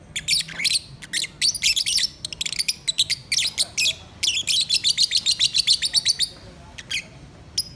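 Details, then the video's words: Pet lovebirds sing in a busy stream of piercing, high chirps, about three or four a second, building into an even run of rapid notes before falling quiet. "My Singing Love Birds"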